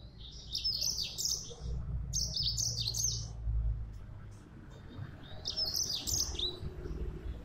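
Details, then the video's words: Yellow-fronted canary singing lively, high-pitched twittering phrases, each about a second long, in three separate bursts with pauses between, against a soft low background rumble. "Burung Mozambik Gacor"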